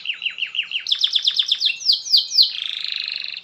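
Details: Canary song used to make other canaries sing: a series of falling swept notes about five per second, speeding into faster sweeps, then a long buzzy trill.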